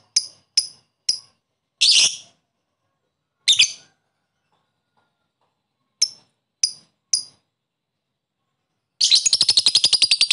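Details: Lovebird calling a rival to stir other lovebirds' excitement: short sharp high chirps in groups, one harsher burst, then a fast buzzy rattling chatter at the end; no other sounds.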